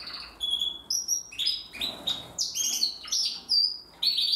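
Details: Short whistled notes and chirps separated by brief silences, sung by a young Timbrado canary hatched in 2020 as it practises its song.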